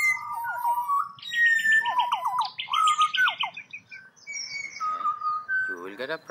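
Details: A wild pied butcherbird in Australia, singing in response to a person's prompting, gives rich fluted whistles: quick falling slurs and warbled runs, overlapping higher and lower phrases, ending in a rising burbled flourish.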